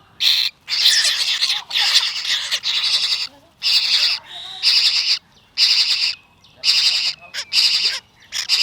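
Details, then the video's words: Young hand-fed parrot chick excited for milk at sunrise feeding time: a rapid series of grating, hissy squawks, about one per second, separated by brief silences. "Adorable Parrot Chick Can’t Wait for Milk – Morning Feeding Routine"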